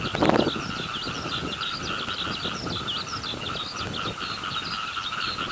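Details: A skylark pours out song in flight over a flooded rice field. Unbroken, fast, chirruping warble of high slurred notes, with a constant hum beneath and a soft frog chorus. A brief low thump comes at the start.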